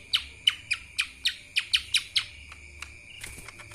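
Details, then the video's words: A lesser green leafbird sings kapas tembak style, nine bright, downward-sweeping chirps at about three per second, followed by a brief noisy rustle. "CUCAK ijo mini Fulll suara KAPAS TEMBAK...!"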